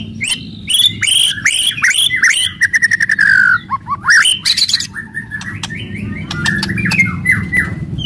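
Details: White-rumped shama delivering aggressive song to stimulate other birds: loud repeated upslurred whistles, a fast clicking rattle, a long descending whistle, then softer warbled phrases, with low hum beneath.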